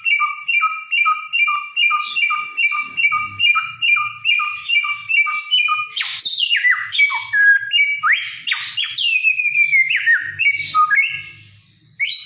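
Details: Helmeted friarbird, a mimicking songbird of Nusa Tenggara, first repeats a two-part whistled note about twice a second for six seconds, then bursts into varied rising whistles and harsh squawks; faint low hum underneath.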